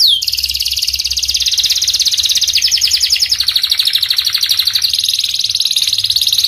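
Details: Panda canary delivering a long continuous rolling trill. Dense, buzzy and very rapid, it shifts slightly in pitch without a break.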